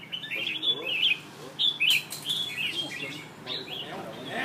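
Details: Two red-whiskered bulbuls in a singing contest in Nha Trang: bright, liquid whistled phrases, three or four short slurred notes every second, with a faint human voice in the background.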